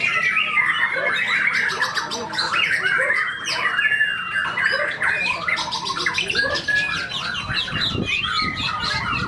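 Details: Tame white-rumped shama at a song contest, main-ticket class 16G, pouring out isian fill-in phrases: dense, rapid run of varied whistles, chattering trills and buzzy notes, overlapped by other birds and crowd noise.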